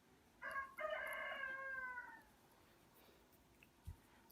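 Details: Rooster crowing in the background at a place full of chickens, like a chicken farm: one distant crow with a short opening note, then a long harmonic, falling cry of about one and a half seconds, followed by a soft knock.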